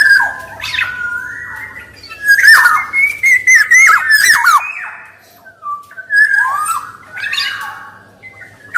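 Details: Black-naped oriole (kepodang) singing energetically, with male and female voices used as lure and tutor: dense run of looping whistles and harsh nasal rasps, a pause, then softer falling whistled notes.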